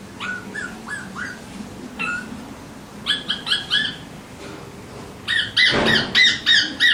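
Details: Alexandrine parakeets give short, bright chirps with rising and falling tones, coming in quick bursts and growing into a faster, denser run of repeated calls near the end.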